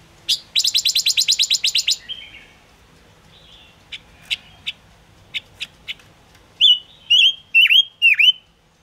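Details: Silver-eared mesia recorded as a trapping lure: a fast rattling series of about fifteen harsh high notes, then scattered short chips, ending in four loud down-swooping whistles.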